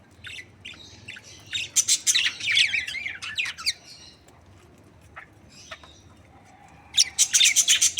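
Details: Happy budgerigar breeding pair; a run of rapid scratchy warbles and chirps for about three seconds, scattered single notes, then a quick series of sharp clicky chirps.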